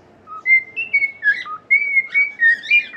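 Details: Pet cockatiel whistling a song used to teach and cheer up other cockatiels: a run of long, clear whistled notes that slide up and down, broken by a few rougher, warbled notes, with a faint background hum.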